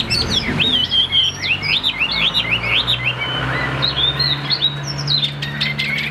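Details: A caged tam hoàng Chinese hwamei delivers a long, energetic song of rapid zigzag whistles and trilled figures, roughly two notes per second, with a low hum and a few clicks.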